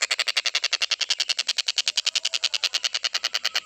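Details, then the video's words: Stork-billed kingfisher calling continuously in a recording made to train other songbirds: a dense, steady stream of rasping, broadband notes repeated quickly, roughly three to four each second, with no pause. "TENGKEK BUTO KHUSUS BUAT MASTERAN,FULL KICAU GA ADA BERHENTI NYA"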